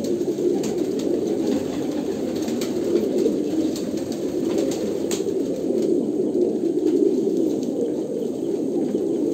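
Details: Kolkata pigeons cooing together in a dense, continuous chorus of low, throaty, overlapping coos, with a steady murmur and a few faint clicks.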